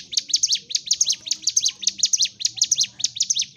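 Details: Fighting song of a Sunda warbler, used to provoke other birds: rapid clusters of shrill, high chirps with quick downslurred flicks, following in fast rhythmic succession over a soft low background rumble.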